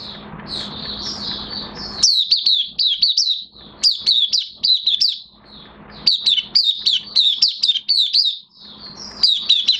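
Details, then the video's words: Oriental white-eye in captivity, lightly moulting, sings lively bursts of high, sharp chirps slurring downward, several phrases separated by short gaps over a faint low hum. "Mata Puteh Kitaro V1 buka sing in minor moult"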